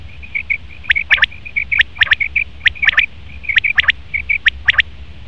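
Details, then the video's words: Male common quail calling in rapid three-note bursts, interwoven with a steady string of short, level high pips throughout. "Best Common Quail Male sound/Nar batir ki awaz"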